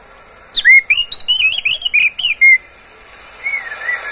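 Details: Oriental magpie-robin kept as a pet pours out a quick string of bright, slurred whistles and ticking chips for about two seconds, followed by quieter, drawn-out warbling whistles.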